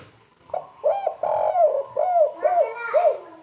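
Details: Local spotted dove, 'kuk 3' song style, cooing busily. A series of six soft, hollow coos, one long and drawn out, the others short and arched, with faint room noise behind.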